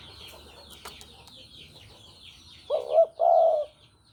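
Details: Javanese spotted dove as a trapping lure: high twittering of small birds and a few clicks, then a single two-part coo near the end, a wavering note and a longer level one.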